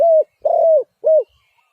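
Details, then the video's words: Spotted dove making three smooth, steady-pitched coos. The middle note is the longest and carries a faint burr at its start, and the last one dips at its end. No other noise is heard. "Sound Of Spotted Dove is so good"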